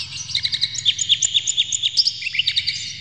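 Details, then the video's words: Provocation song of an Oriental magpie-robin, played to rouse a bird's temper: rapid, varied high whistles and sharp chirps at about two per second, some notes dropping in pitch. "PANCINGAN KACER Buka Ekor KONSLET bongkar MATERI KASAR JERNIH agar KACER emosi"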